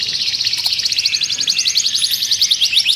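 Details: Canary singing for mating and to stimulate other birds, delivering a steady rapid trill of repeated high notes, slightly rising and falling, about four per second and continuous throughout.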